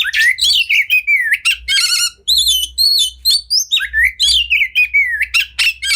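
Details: Kacer (Oriental magpie-robin) full-fill tutor song: looping whistled slurs, a rapid rattling trill, repeated wavering high notes and sharp accented chips in lively succession.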